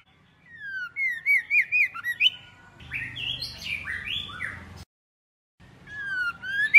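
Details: Female white-rumped shama used to rouse males: wavering rising-and-falling whistles, then a stretch of blocky buzzy tones, a pause, and a few slurred whistles.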